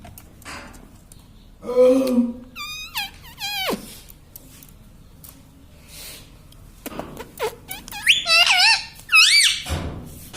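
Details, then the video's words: A household parrot that repeats "mummy" utters scattered rising and falling vocal phrases, some fast and warbling, with a faint low murmur early on and quiet indoor gaps between them. "mummy bolta mithu ||papa bolne vala parrot || parrot talking"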